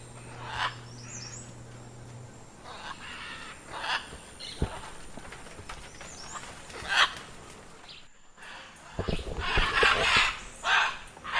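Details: Scarlet macaw giving harsh, raspy squawks in irregular bursts, some single and some in quick clusters, with a louder run near the end over a steady low hum and background hiss.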